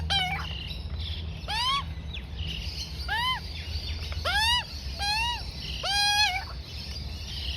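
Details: Four-to-five-month-old juvenile Australian magpie fed by its mother on oats; series of sharp upward-sweeping then arched harmonic squeals, fairly regular, with faint chatter and low hum behind.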